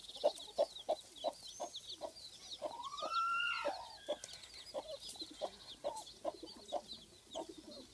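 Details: Brooding domestic hen and her many chicks: steady soft clucks repeated roughly three times a second under a busy layer of high chick peeps, broken midway by a longer wavering, sliding squeal.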